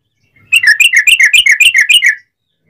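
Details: A sooty-headed bulbul delivers one short burst of about ten bubbling whistled notes, alternating higher and lower in a quick, even rhythm. The song serves as a lure to set other bulbuls singing.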